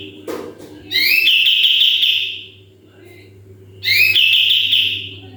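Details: Sooty-headed bulbul giving full 'tembakan' (shooting-style) song, used as a model for training other birds: two rising whistled notes sweep into a long buzzy rapid trill, repeated twice, with a brief low thump before the first.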